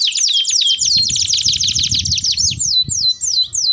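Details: Canary song used to prompt canaries to learn singing: a rapid trill of fast downward-sweeping notes, then slower, separate descending whistled slurs near the end, with a low rumbling background throughout.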